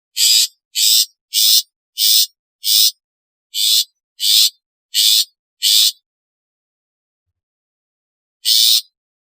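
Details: Rasping, noisy calls of a long-tailed shrike, each short and grating, delivered in a quick series of nine with one brief hitch, then a long silent pause before a single further burst.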